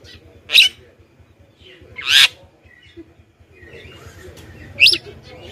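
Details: Lure call of a Javan myna for drawing in wild birds: three loud, rough screechy notes spaced about one to three seconds apart, with a faint low rumbling background.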